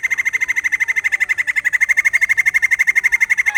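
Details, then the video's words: White-crested laughingthrush, a kept bird: steady rapid chatter of sharp pulses at a mid-high pitch, about ten per second, unbroken through the whole stretch with faint higher overtones. "Poksai Jambul males bunyi, dengar suara ini malah GACOR"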